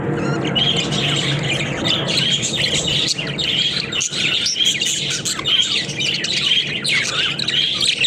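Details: Captive flock of budgerigars playing in their cage, giving continuous busy chirping and warbling chatter, many overlapping high twittering notes with short squeaks throughout.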